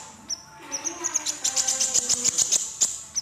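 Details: Crimson sunbird, red-breasted and in full song. A quick, slightly irregular stream of sharp, very high chips and short whistles sits over faint low tonal hum.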